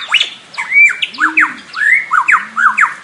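A lyrebird sings a loud, varied run of harsh squawks, sharp falling whistles and arched slurred notes, about three per second, with a low hollow hum underneath.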